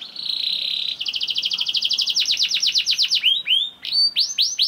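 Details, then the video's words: Canary song meant to prompt other canaries to sing, delivered by a young bird: a steady high buzzing roll, then a fast train of repeated downward-sweeping notes, ending with separate sharp slurred chirps. "KENARI GACOR DOR NGEDUR NGOTOT CUIT CUIT NGEROL AMPUH PANCINGAN KENARI PAUD"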